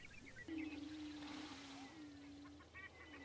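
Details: Early morning on the Fort Pierre National Grasslands lek in central South Dakota, where prairie chickens perform their annual spring ritual. A single long, low, humming boom lasts about two seconds. Wind and faint high whistles sound in the background.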